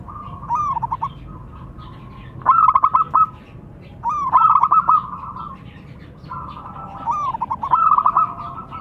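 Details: Local zebra doves calling back and forth between male and female, each phrase a quick burst of clipped notes followed by a sustained purring trill, four phrases.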